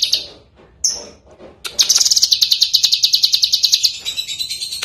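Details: Lesser green leafbird master song for training songbirds: a few high whistled notes, then a fast even high trill of clipped notes about three per second for two seconds.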